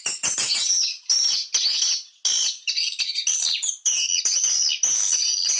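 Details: Lure call for swiftlets, used to draw them to nesting houses: a shrill, continuous twittering of high chirps in overlapping bursts, broken by short pauses.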